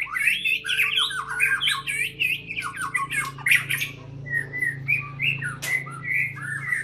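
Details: White-rumped shama at a breeding site in an enclosed space, singing a rapid jumble of chattering, squeaky notes, then spaced short whistled slurs, over a steady low hum.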